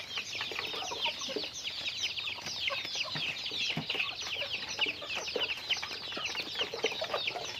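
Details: A dense, even chorus of high chirps from chickens in daily activity, packed and continuous from start to end.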